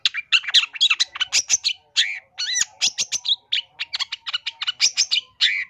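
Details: Long-tailed shrike in vigorous full song, made for tutoring caged birds and luring wild ones: fast chattering sequences of harsh buzzy and whistled notes, with arched slurs, packed closely together.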